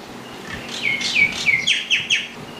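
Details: Common myna giving a short phrase: two or three liquid whistled notes with a downward slur, then a quick series of three higher sharp chirps, loud and clear against a quiet background.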